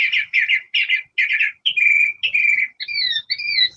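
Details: A Northern Mockingbird, recorded at Moundville Archaeological Park, Alabama, sings bright chirpy phrases, repeating the first five times in quick succession before switching to new whistled phrases; it repeats three or more times, unlike thrashers and catbirds.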